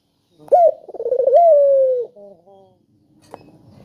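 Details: Spotted dove voice played to coax silent doves into calling: a clear rising coo, a rapid trembling roll and a drawn-out descending tone, then a softer short coo and a single click.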